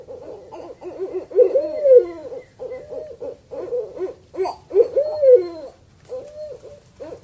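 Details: Owl call used to lure birds: a series of wavering, slurred hoots, some rising then falling, given in irregular runs with short gaps, over steady low background noise.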